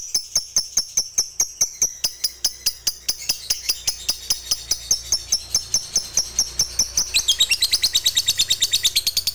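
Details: Fighter lovebird giving its long chattering song, meant to provoke other lovebirds into singing. It is a rapid, high, metallic run of sharp repeated notes, more than two per second, that speeds up and grows denser toward the end.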